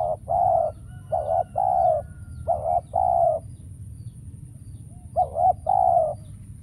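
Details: Spotted dove calling as a trapping decoy, with no wild doves coming in. Three quick two-part coos, a pause of about two seconds, then a fourth, each a short note then a longer one.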